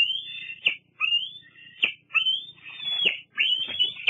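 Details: Young bald eagle squeeing at Fraser Point, 8 August 2022: four long, strained, whistled squeals rising in pitch and ending abruptly, delivered in close succession.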